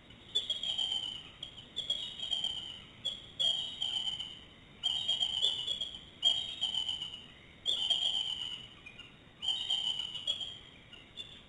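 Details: Two bald eagles calling loudly in the middle of the night while off their nest, outside the breeding period with no eggs or chicks; high, thin, whistled bursts repeat roughly every one and a half seconds over a steady electronic hiss.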